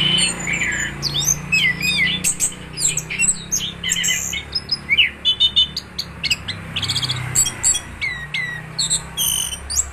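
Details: Orange-headed thrush in gacor ngeroll style, singing continuously: dense, varied high chirps, whistles and quick slurred notes tumbling one after another, with a faint low rumble underneath.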